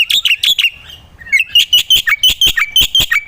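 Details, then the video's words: Gacor-style singing of a black-winged myna, kept as a master recording for tutoring songbirds. Harsh, clipped notes come in quick pairs, break into a brief drawn-out tone, then return as a steady rapid series. "pancingan dan burung masteran jalak putih gacor"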